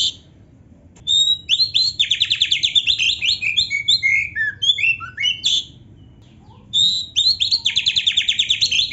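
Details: Oriental magpie-robin in full song with canary-style fill-ins, meant for training caged birds: loud sustained trills of quick repeated notes and scattered falling whistles, a brief pause, then another fast rattling trill.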